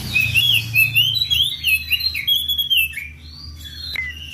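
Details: Oriental magpie-robin calling out to a rival: a rapid run of varied whistled and chattering notes, followed by a pause and a few slurred whistles. Faint low background hum.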